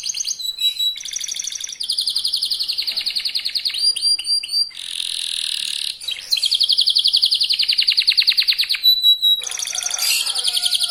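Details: A young local canary sings super-fast to draw other canaries into singing. Its long rapid trills alternate with buzzy rolls and sharp slurred whistles, and a brief pause separates the final burst of notes.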